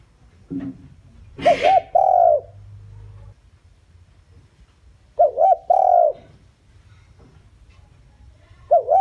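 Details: Lure spotted dove calling to bring in wild doves. Repeated soft cooing phrases, each a quick double note and a long downslurred coo, roughly every three seconds, with a sharp knock near the start.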